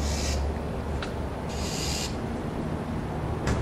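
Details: A northern mockingbird screeches while dive-bombing a much larger vulture and trying to chase it off: harsh, broadband rasping bursts at the start, near the middle and at the end, over a steady low rumble.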